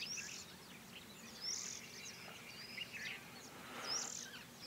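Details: Little ringed plover during mating rituals gives three thin, high, downslurred whistles about a second or two apart over a steady low background hiss.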